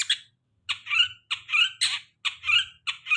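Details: Long-tailed shrike song used as a lure for a bird after moulting: harsh, buzzy chattering bursts, each about a third of a second, repeated roughly every half second with short silent gaps and a faint low hum beneath.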